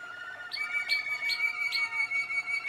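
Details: Young Malinois Waterslager canaries from 2016 singing steady, pure whistled tones overlaid with bubbling notes, punctuated by bright clicking accents roughly every 0.4 seconds.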